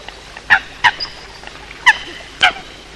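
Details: Eurasian coot calling at night late in the 2020 season, giving four short, sharp, nasal notes at uneven intervals over about three seconds, against a quiet night background.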